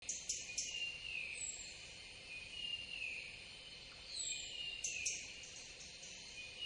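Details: Taiga flycatcher on a perch in Cambodia, before a house sparrow chases it off, giving short, sharp high ticks in pairs near the start and around five seconds, over a shrill background chorus of birds or insects.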